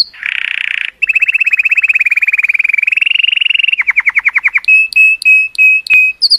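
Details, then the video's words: Male colour canary's joyous song to stimulate females, opening with a harsh buzz, then a long even trill, a slower pulsed trill and spaced clear whistled notes. "تغريد كناري رائع، لتحفيز الإناث"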